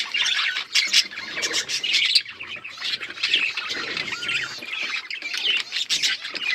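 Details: Australian parrots in a flock chirping together: a dense, continuous chatter of high, scratchy squawks and short twittering notes overlapping throughout, with occasional clearer whistled notes.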